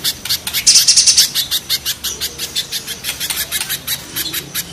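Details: Rough-voiced spiderhunter, the recording comparing mountain and banana spiderhunters. A brief buzzy trill opens the passage, then loud shrill chips hammer on at a quick, slightly uneven pace.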